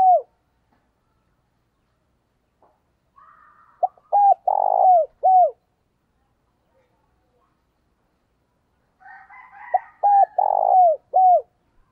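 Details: Caged decoy spotted dove luring wild doves, giving two cooing phrases about six seconds apart. Each is a string of short arched hoots with a longer rolling coo, and light buzzy chirping comes just before each phrase.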